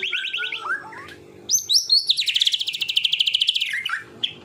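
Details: Real white-rumped shama (murai batu) in complete 'tembakan' tutor song: a short run of repeated chirps and slurred notes, a brief gap, then an extended rapid rattling trill of about twenty notes, ending in a falling whistle.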